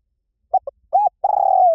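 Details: Spotted dove song in the Liu Tan style, played to prompt a trained dove to sing back: two short clipped coos, an arched coo, then a long rolling, slightly falling coo.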